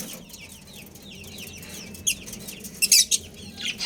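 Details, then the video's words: Budgerigar breeding pair chirping: faint, quick, scratchy chirps through a low background hum, then a few louder sharp bursts near the end. "Adorable Budgies Chirping Sounds"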